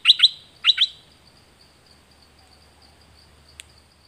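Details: Dok taeng bird, a recording used to train birds and lure wild ones, giving two quick double chirps, high and sharply falling, half a second apart, then quiet with a faint high tick.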